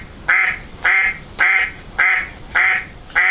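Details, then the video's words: A Mallard duck gives loud, nasal quacks, six in a row at an even pace of about one every half second, with a little background hiss. "It is a duck, but most specifically it's a mallard duck."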